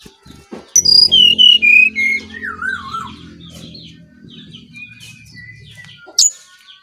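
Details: Brown-chested jungle flycatcher from Bali singing energetically, used as a lure for other birds: a descending series of clear whistled notes, a wavering warbled phrase, then softer twittering over a low droning hum, with a sharp high note near the end.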